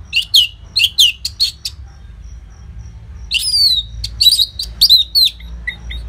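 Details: Orange-headed thrush song used to prompt caged birds: paired sharp high notes repeated at first, then after a pause a jumble of slurred whistles and chatter over a low background hum.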